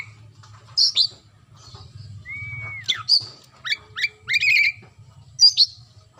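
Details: Kacer (white-rumped shama) delivering gacor song: spaced sharp notes, a smooth arched whistle, then quick rising upslurred notes and a short warble, over a low constant hum.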